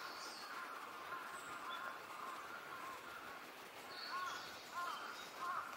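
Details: A Brown-headed thrush, recorded 26 April 2020, sings short, rising-and-falling whistled phrases, about one every second near the end, with thin higher notes over a steady hiss of background noise.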